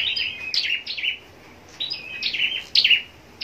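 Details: High, sharp twittering phrases of falling notes from a caged scarlet-backed flowerpecker kept for singing contests in Long Thành, Vietnam, two bursts separated by a quiet pause.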